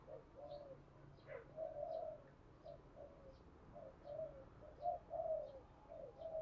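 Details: Spotted dove giving a gáy đôi hai hậu call (double coo with two endings), used to train decoy birds and lure wild ones. Faint, low, husky coos are repeated in short phrases over steady background hiss, with faint higher chirps above.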